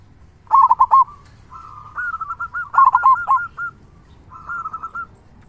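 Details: Local Zebra Dove with a big 'kung' voice, singing rapid phrases of loud accented coos that trail into rolling, rhythmic notes, repeated in three or four bouts.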